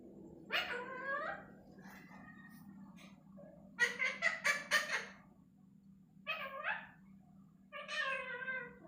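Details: Talking parrot giving four bursts of speech-like vocalizing, each a set of stacked, bending tones that rise and fall, separated by short pauses, over a steady low hum.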